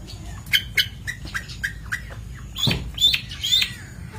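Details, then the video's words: Long-tailed shrike song used as a master recording for training birds: scattered short sharp chirps and clicks, then a harsh downward rasp and loud squeaky whistled phrases near the end. "Masteran Cendet / Kicau Cendet"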